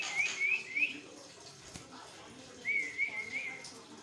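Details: Javan myna song used to prompt other mynas into singing; a series of three quick upslurred whistles, a quiet pause, then another run of three rising whistles over faint background chatter.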